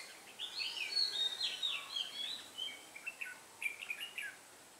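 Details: During bulbul trapping on 8 October 2017, a decoy red-whiskered bulbul sings to attract wild birds. A rich, rolling warble runs continuously for two seconds, then breaks into short sharp chirped notes repeated rapidly.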